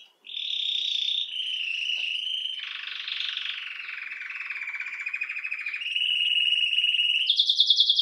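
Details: Domestic canary song made of long sustained trills that shift pitch in steps: a steady high roll, a lower buzzy rattle, then a rising finish of fast, bright repeated notes.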